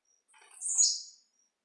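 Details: Blue-black grassquit performing its 'de pulo' song: one brief, harsh, buzzy note that swells and drops in pitch, lasting under a second, in an otherwise quiet setting.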